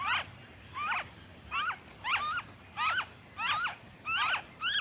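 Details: Noisy friarbird recorded in Victoria, Australia, in February 2023: harsh, nasal, strongly harmonic notes with sharp bends, given in a steady series of about seven calls in under five seconds. Quiet background.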